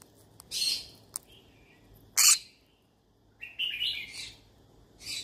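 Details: Yellow-sided conure looking for friends to talk to: a harsh squawk, a click, a loud sharp shriek, then a wavering rasping chatter and a final squawk, indoors with little background noise.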